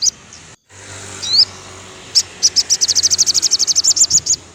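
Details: Afternoon song of a crimson sunbird, used to train captive birds that have gone quiet: a brief high note and a slurred chirp, a pause, then a rapid run of sharp, very high repeated notes about four per second.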